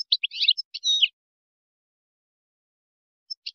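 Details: European goldfinch, Moroccan wiydani tutoring song for chicks and hybrids: about a second of scratchy chirps and slurred, nasal twitter notes, then silence and a couple of soft chips.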